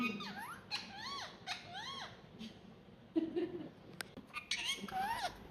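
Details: Pet talking ringneck parrot, one of a pair, starts with several arched, squeaky chirps in steady succession, then a person talks softly before more shrill parrot notes close the passage indoors.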